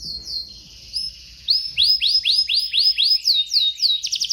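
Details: F1 canary described as a lively, persistent singer, from Indonesia: high thin whistled notes, then a run of bright downward-sweeping notes about four per second, ending in a fast buzzy trill; faint low background hum.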